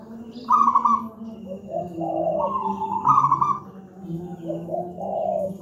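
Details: Big-voiced local wild zebra dove, used as a training master for doves that do not yet sing: two bright, rolling trilled coos about two and a half seconds apart, each trailing into lower bubbling notes, with a faint whistle and background hum.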